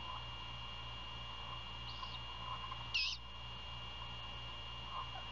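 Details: At a great horned owl nest near Savannah, Georgia, during a 1:38 AM prey handover on 27 February 2022; one sharp, abrupt raspy screech preceded by a faint softer one, set against a continuous low electrical hum.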